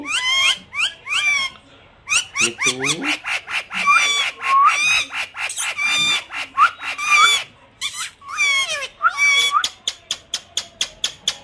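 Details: Parrot (mithu) chattering mummy repeatedly in dense harmonic bursts, sometimes run together, ending in a fast string of short clicking pulses.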